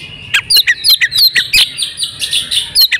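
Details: Female oriental magpie-robin in breeding condition, used to prompt males to sing: rapid series of sharp, high whistled chirps and downslurred notes, some buzzy, roughly three per second, over a faint steady high tone.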